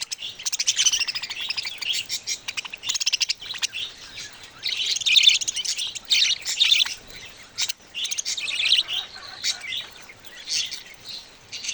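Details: Baby budgerigars calling: dense, high, raspy chirping and chattering in overlapping bursts, loudest around five to seven seconds, continuing almost without break apart from short pauses near three and a half and seven and a half seconds.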